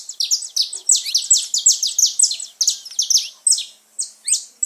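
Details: Singing saffron finch, used to stimulate pet birds: a rapid, loud string of high downward-sweeping notes that slows near the end into a few spaced chips and a rising slur.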